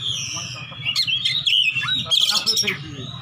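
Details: Oriental magpie-robin kept as a fighting bird, calling out for a rival in ngeplong style; bright wavering whistles and quick chattering notes follow one another, with a constant low droning hum behind.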